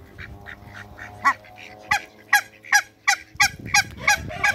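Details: A pair of hybrid mallard ducks in a backyard among other waterbirds, giving harsh, raspy quacks in an uneven series of about three per second that grow louder toward the end, over low background rumble.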